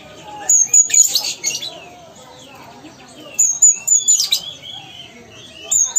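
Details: Ruby-cheeked sunbird from Sumatra, a kept songbird, giving bursts of high thin whistles mixed with scratchy buzzy notes, two song phrases separated by a quieter pause of about two seconds.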